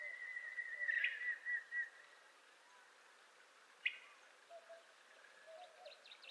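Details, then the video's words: Montezuma quail (Cyrtonyx montezumae), a secretive quail of Mexico and nearby United States, gives a long, quavering whistle about two seconds long, holding one high pitch before fading; brief chirps from other birds follow. "Montezuma Quail Nature Sound Effects"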